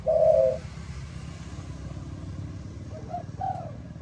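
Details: Spotted dove of Malaysian stock singing in the low 'âm thổ' style: one strong burry coo, then faint short notes and a softer coo over steady low traffic-like rumble.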